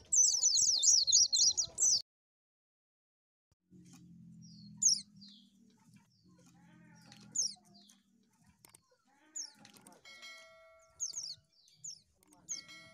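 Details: Oriental white-eye used to lure birds: a two-second burst of fast, high, trilling twitter, then silence, a low hum, and scattered high chirps with steady electronic tones near the end.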